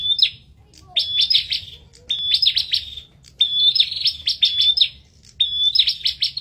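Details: Bar-winged prinia duelling in vigorous song: bursts of a thin high whistle followed by rapid, strident chips, repeated roughly every second with short pauses between phrases.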